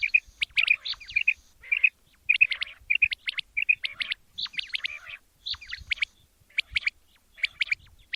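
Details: Male quail calling in the morning, a rapid run of bright chirped notes in clusters, some with sharp high flicks, repeated roughly twice a second with short pauses between bursts; faint low thumps underneath.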